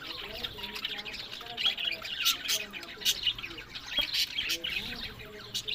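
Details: Captive budgerigars in Larkana, Sindh, with raspy squawks and high chirps over a low, chattering warble, in a steady flock hubbub.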